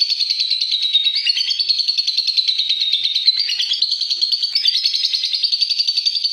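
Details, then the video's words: Lovebird giving a long continuous ngekek trill, a rapid buzzy chattering held steady at high pitch with slight wavering, pulses repeating many times per second throughout, used to train other lovebirds to sing longer. "Love Bird Tengklek Ngekek Durasi Panjang"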